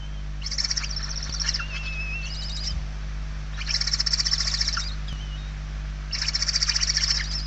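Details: Hungry barn owl nestlings, Spain, late November 2023, one chick very weak: three rhythmic rasping hiss bursts roughly every two and a half seconds, finely pulsed, with a faint wavering whistle between them and low hum throughout.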